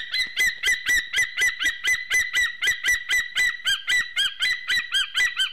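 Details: Male white-tailed eagle singing to his mate at the nest in Slītere National Park, Latvia, 24 September 2020, afternoon, around mating: fast regular yelping notes, about four per second, strongly harmonic and ringing.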